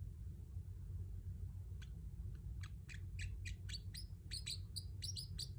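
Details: Pet Pacific parrotlet: low droning hum at first, then high sharp chirps begin around the midpoint and quicken into a lively series of downward-slurred tweets.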